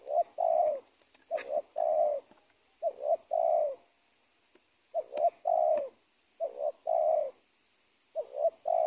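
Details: A spotted dove at the edge of a teak plantation gives low, soft coos, mostly two or three quick notes then a longer drawn-out coo, the phrases repeating about every one and a half seconds.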